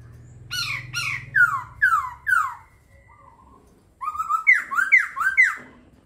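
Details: A laughingthrush sings loud, slurred whistles that descend in pitch and are repeated about once every half second. After a brief pause comes a fast run of bright rising-and-falling notes. A low droning hum sounds at first.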